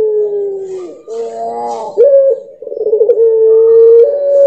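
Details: Puter pelung dove singing, one of nine with different voices: a sliding descending note, a rough layered warble, a pulsing trill, then a level held coo stepping up slightly at the end.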